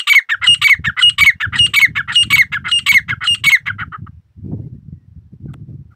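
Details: A kept grey partridge gives a rapid series of rasping, creaking call notes, almost two per second, for about four seconds, then stops, leaving only soft low background noise.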